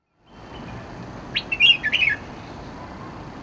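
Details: Near Ho Man Tin MTR, a Red-whiskered bulbul gives a brief burst of bright, bubbly chirps lasting under a second, over a steady low hiss of background noise.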